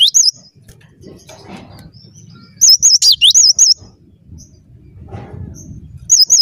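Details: Gacor song of a cinereous tit (gelatik batu): a short whistle at the start, then a bright phrase of about seven wavering, looping notes, and another begins at the very end; low background rumble throughout.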